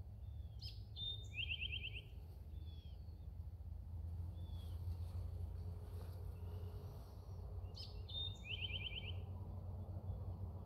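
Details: Eastern towhee singing in Indiana on 3 April 2021: a high clear note, then a quick buzzy trill, the phrase given twice about seven seconds apart over a steady low rumble of background noise.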